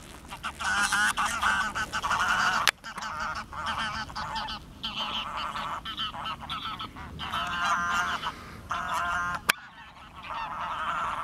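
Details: Greylag geese, recorded on 10 March 2021 alongside mallards and a mute swan, honk in loud, overlapping nasal bursts: many birds call together in a continuous chorus with brief pauses.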